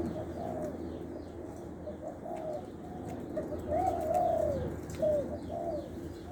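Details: Caged male spotted dove from Lopburi, Thailand, kept as a decoy bird with a middle-pitched, single-'kuk' cooing style: soft, low, hollow coos in short phrases, louder toward the end, over a steady background rumble.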